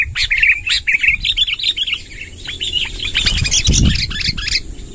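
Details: Long rolling 'ngerol panjang' song of a sooty-headed bulbul, 'tembakan' style: a continuous busy warble of quick slurred chirps, running without pause, with a steady high thin whine behind and a brief low thump near the end.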